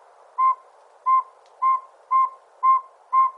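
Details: Northern saw-whet owl (Aegolius acadicus) giving clear, whistled toots on one steady pitch, about two a second, over a faint background hiss.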